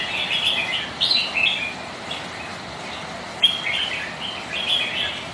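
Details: Red-whiskered bulbuls, rivals sparring in wind and rain, trade quick chirpy warbles, then a sharp click midway, followed by more warbled notes amid hiss.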